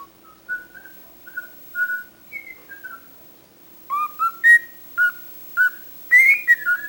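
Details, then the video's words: Chatty cockatiel giving a series of short, level whistled notes at slightly varying pitches, quiet at first, then louder, sharper chirping syllables spaced about half a second apart in a quiet indoor setting. "CALOPSITA fala demais"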